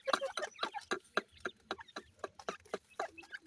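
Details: Grey partridge (teetar) chicks playing: short chirps and clicks repeated about twice per second in a loose rhythm, with a few higher peeps between them.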